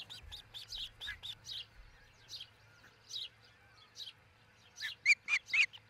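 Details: Osprey at its nest in Charlo, Montana, on a nest cam, early morning of 22 June 2018; quick series of high chirps, fading, then a louder burst of four whistled cheeps, with a faint low hum.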